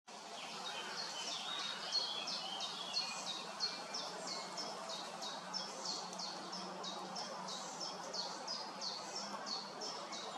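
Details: Young great spotted woodpecker, still being fed by the female on a pear tree in Hrodna, western Belarus, on 7 June 2025, giving thin, high, insistent calls about three times a second over a steady background hiss.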